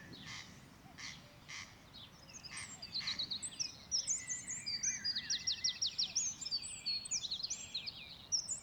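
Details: A corncrake, heard but unseen, gives dry, rasping double notes about twice a second at a campsite on Coll or Tiree, Inner Hebrides, Scotland, machair grassland in May, soon crowded by a busy chorus of whistling, twittering songbirds and a cuckoo.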